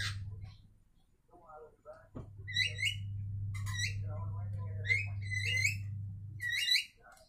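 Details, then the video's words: Javan myna pair calling back and forth to each other: harsh squawky notes with buzzy, rasping bursts, some short whistled notes, in clusters about every second, over a steady low hum. "Jalak Kebo Saling Berkicau"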